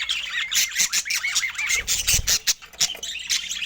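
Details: Feeding budgerigars in Scandinavian daylight give a busy run of warbling chirps and harsh squawks, wavering notes repeating quickly through the clip, with a low thump in the middle.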